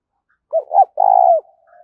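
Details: A spotted dove's 'thúc' coo: a quick pair of low, rounded notes, then a steady, rough, pulsing coo, trailing into a faint, soft, drawn-out hum.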